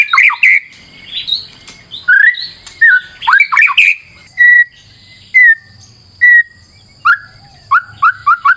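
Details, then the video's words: Energetic white-rumped shama song used as a lure: loud slurred whistled phrases, then three clear falling whistles spaced about a second apart, ending in a rapid run of short sharp notes. "PANCINGAN MURAI BATU GACOR"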